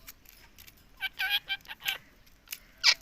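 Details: Talking rose-ringed (Indian ringneck) parakeet saying "Mummy" nonstop: a quick run of harsh, nasal, word-like syllables, four bursts in about a second, then two more raspy notes.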